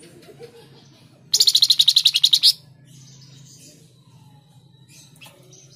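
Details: Flamboyan song used as a master recording for cage-bird training: one rapid, ringing trill of evenly spaced high notes lasting about a second, followed by faint scattered chirps.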